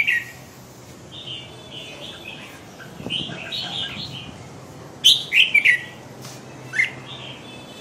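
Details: Red-whiskered bulbul, a strong 'crazy dinosaur' type bird, singing: clear whistled warbling phrases around mid-high pitch, with a louder burst of bright, rapid notes near the end, over a steady low hum.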